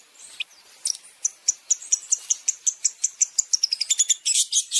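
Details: Long-tailed shrike masteran song with champion fill-in phrases: steady series of thin, high chipping notes repeated almost three times a second, quickening toward the end into a louder scratchy burst.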